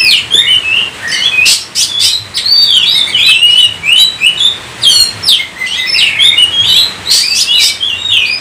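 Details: Oriental magpie-robin singing loud and continuous: rich varied whistles, slurred notes and buzzy phrases, some scratchy bursts, with brief pauses between runs of notes.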